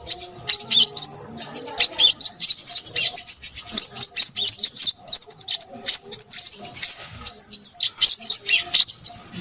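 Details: Crimson sunbird, said to be noisy, delivering nearly nonstop, very high, rapid twitters and clicking chips in uneven bursts over about nine seconds.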